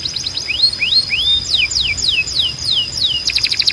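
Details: Timbrado canary singing, a recording meant for training canaries to sing. A series of sliding whistles, each dropping in pitch, comes about four per second. A fast rattling trill ends the phrase over a steady high tone.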